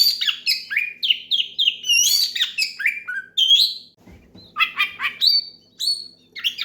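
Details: Oriental magpie-robin, a singing bird kept to call a rival and prompt other magpie-robins to sing, loud and vigorous: rapid varied whistled phrases, many sliding downward, dense at first then broken by short gaps, with a faint low hum beneath.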